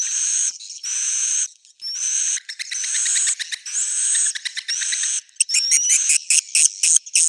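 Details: Edible-nest swiftlet roosting lure sound (suara inap): buzzy, high sustained rasps with upswept whistles, interspersed with quick clicking trains and short twitters toward the end.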